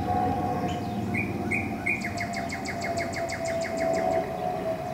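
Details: Spring 2014 northern cardinal song: three clear slurred whistles followed by a fast run of about a dozen short, evenly spaced chips, set against a constant low hum and distant outdoor rumble.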